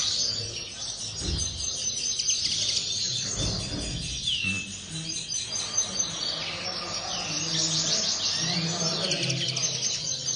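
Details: Common linnet singing in an aviary: a dense, continuous high twittering of fast chirps and short whistled slurs, with a low rumble and a few thuds underneath.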